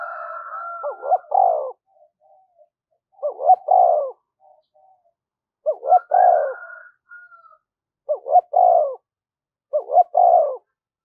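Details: Spotted dove used as a lure bird, calling to draw in and provoke wild doves; five deep cooing phrases, each a couple of quick hooked notes then a longer full coo, repeated roughly every two seconds, with a faint rooster crowing at the start.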